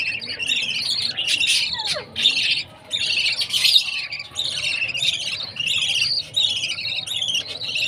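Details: Baby budgerigars chirping at food time: a dense stream of high, scratchy chirps and squawks in rapid repeated bursts, broken by short pauses, with a faint low background murmur.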